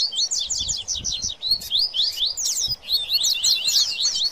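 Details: Rusty-collared seedeater in baderna song, excited and mixed with papa-capim, giving quick bursts of high slurred chips with short breaks between phrases.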